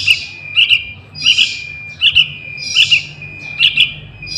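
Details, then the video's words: Calls of a young trucukan, played to lure wild trucukan; short chirps in doubled bursts about every 0.7 seconds over a sustained high tone, quiet rumble in the background. "Suara Anak Burung Trucukan | Pancingan Pikatan Trucukan Liar"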